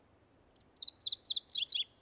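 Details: Territorial song of a male MacGillivray's warbler, newly arrived in Washington State from the tropics: a rapid chain of high, buzzy, two-part phrases, about seven in all, ending in descending slurs, with little other sound.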